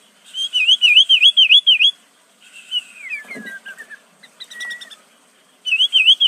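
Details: Sooty-headed bulbul song with phrases from prenjak, cucak ijo, cucak rowo and murai: a rapid series of clear looping whistled notes, a descending twittering run, scattered chips, then the looping whistles return.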